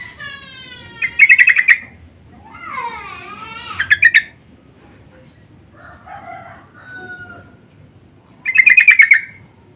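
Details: Sooty-headed bulbuls answering each other to lure calls, loud and insistent: rapid chattering bursts at the start and end, with sweeping harmonic whistles and softer twitters in the middle.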